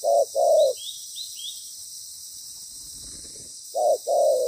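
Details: Spotted dove during trapping with a ground decoy; a pair of clear coos, a few faint high chirps and a rustle during a pause, then another coo pair.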